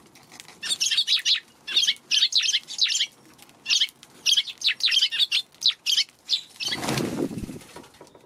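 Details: Several Eurasian tree sparrows keeping back from a Godzilla figure set near their feeding spot, March 16, afternoon; rapid chirping in clustered bursts for about six seconds, then a loud whirr of wings as birds take off.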